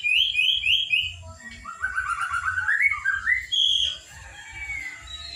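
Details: Young white-rumped shama at the trotol stage, from Kota Agung, Medan, singing: a quick series of repeated whistled notes, then buzzy warbling trills climbing in pitch, ending in a clear high whistle, with a low steady hum behind.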